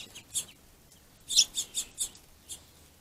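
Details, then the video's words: Finches quarrelling at a food source give short, hoarse, buzzy calls, a single note followed after a pause by a quick cluster of four and one last call. "Pissy Finches"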